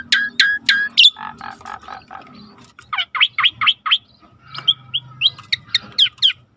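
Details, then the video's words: Starling song in a training recording with river sounds: loud varied phrases of sharp rising whistles, harsh buzzy notes and quick runs of repeated slurred notes, with short pauses between bursts. "Jalak Langka Masteran Alam Sungai | Deep Nature River Sound for Starling"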